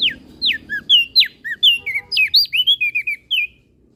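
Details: Energetic song of a Flores crested white-eye, used as a master recording to teach other birds: around fifteen varied notes, with steep downward slurs, short high whistles and warbled dips, delivered briskly and unevenly.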